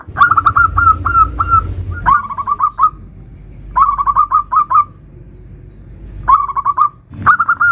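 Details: Zebra dove, local type, in 'nutut' song variation meant to draw other zebra doves into song: four separate bursts of quick rolling coos, each several bubbling notes long, split by pauses, with a low rumbling background.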